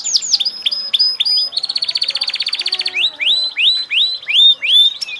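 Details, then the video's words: Canary singing a varied phrase: swept high notes, a long steady pulsing rattle lasting over a second, then a run of rising-and-falling slurred whistles. "kenari gacor"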